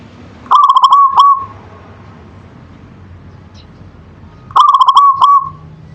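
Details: Zebra dove (perkutut lokal) performing its manggung song: two bright pulsed coo phrases about four seconds apart, each a fast rattle of notes that ends in a lingering coo, over a quiet background.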